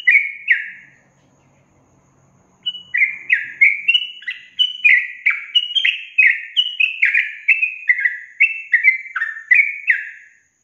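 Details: Lure recording of sooty-headed bulbul song meant to make reluctant young caged birds sing. Two short whistled notes, a pause with faint low hum, then a long run of downward-sliding, bubbly whistles in quick succession.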